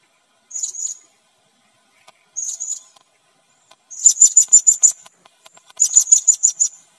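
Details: Red-necked serendit, which is being lured onto a lime trap in Sabah: very high, thin, sharp notes given in short stuttering bursts of five or six rapid pulses with brief silent pauses between them, in an otherwise quiet background.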